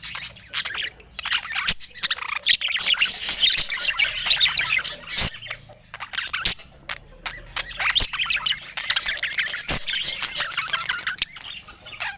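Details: Several budgerigars kept as pets, filmed without words or music; continuous dense warbling chatter and squeaky chirps over twelve seconds, broken by sharp tapping clicks and brief lulls.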